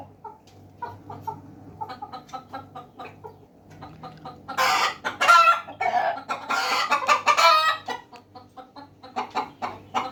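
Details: Hens and roosters cluck in short, repeated pulses nearly twice a second, swelling midway into a louder, harsh burst of rough calls before settling back to steady clucks.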